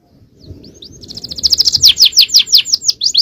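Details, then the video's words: Champion canary song, 'cengkok jawara', recorded for training other birds. Quiet at first, the phrase builds into a loud, rapid trill of high downslurred notes. "Aksi Kenari||Cengkok Jawara||Full Power Canary Action||Cengkok Champion"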